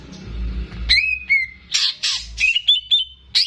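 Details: Active greater green leafbird song used as training material for young birds: clear high whistles broken by harsh, noisy bursts, then quick upslurred notes and a final bright whistle.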